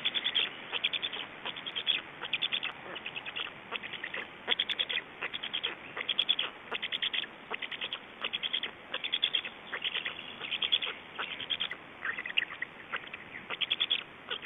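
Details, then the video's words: Black storks in Estonia at the nest, 29 May 2012 evening, feeding and swapping places: clustered bursts of sharp, dry clicking pulses, groups repeated roughly every second or two in an irregular rhythm. "Estonian Black Storks - Feeding and change"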